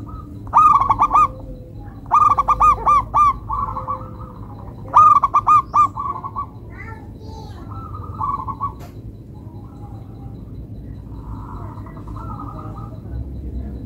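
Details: Local zebra dove, or perkutut, with melodious rhythm: repeated cooing phrases made of quick stuttered notes then a purring trill, given in bursts every few seconds, with softer cooing later over a steady background hiss.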